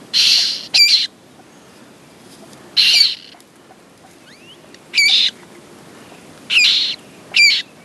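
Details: Common moorhen at its nest with eggs and newly hatched chicks: harsh, hissing bursts with thin squeaky notes, in pairs roughly every two seconds, over faint rustling.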